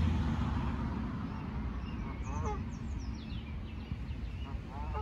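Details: Canada goose attacking a lost gosling outdoors: a couple of short, harsh, stacked honking calls, plus faint high thin peeps, under heavy low wind rumble.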